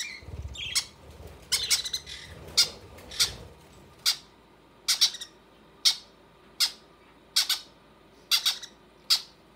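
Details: Conure chicks being fed by their mother indoors, giving short harsh squawks repeated irregularly about once a second, each a sharp burst with a quick decay; low room rumble and faint handling noises early on.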